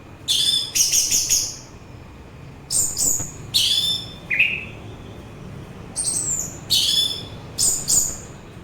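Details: Singing orange-headed thrush, played for relaxation and to attract birds: repeated bright, high phrases of stacked whistles, one dropping lower and buzzier, delivered in bursts with short silent gaps.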